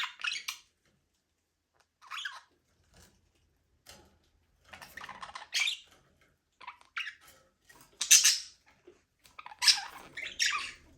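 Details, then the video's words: Budgies in a small aviary, free flying and playing, produce scattered scratchy chirps and twittering notes, loosely spaced at first, then clustering into busier, louder bursts toward the end. "Budgies parrot #chirping sound"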